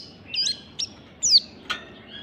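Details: Oriental white-eye singing in the wild-style ngalas manner in the morning, used to train birds: a few sharp, high chirps and a bright downslurred whistle, separated by short pauses, in a quiet setting.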